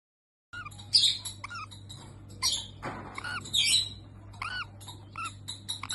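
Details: Pet bird tweeting in a low voice indoors: sharp squawking chirps and short upward-curving tweets in irregular bursts over about five seconds, over a steady low electrical hum.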